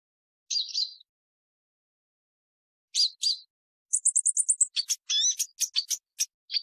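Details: Purple-throated sunbird giving high, buzzy notes singly and in a pair, then a fast series of thin chips followed by sharp, scattered, rising and falling high ticks, with silence in the gaps.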